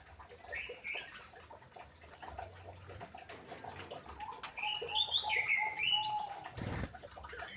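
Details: Several birds in an aviary, fed and quarrelling noisily over the food; overlapping short chirps and squeaky wavering calls, busier and louder toward the end, over steady clattering and rustling.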